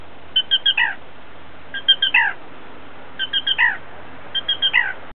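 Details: Black Rail giving its typical three-part 'kee-kee-derr' call to chicks, very close but unseen in a freshwater marsh in July, two or three quick high notes and a lower burry ending, repeated about every 1.4 seconds over soft hiss.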